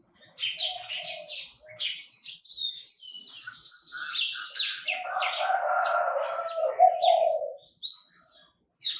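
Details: Chinese francolin calling in the second half: a harsh, reedy, drawn-out rasp lasts over two seconds. Before it come high, fast chirps and a long shrill whistle from other birds.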